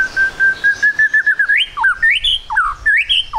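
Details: Young spotted white-rumped shama singing as a lure to get other birds singing quickly: a long run of rapid even whistled notes climbing slowly in pitch, then clear rising and falling whistled phrases.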